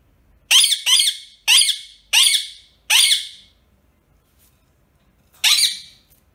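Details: A pet rose-ringed parakeet in a quiet indoor room gives five harsh, rising screeches about every two-thirds of a second, then one more after a pause.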